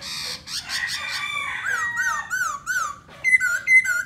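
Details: Black laughingthrush singing and dancing. Buzzy, scratchy notes are followed by a chain of arched whistled notes about every quarter second, then a few crisp, high whistles.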